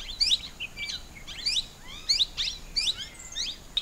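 Plum-headed parakeets give high, sharp, slurred squeaky notes, several bursts overlapping at an uneven pace, with a faint background hiss.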